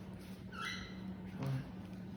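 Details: At night, a pet cockatiel gives a brief, rising whistled call to a companion bird over a low indoor hum.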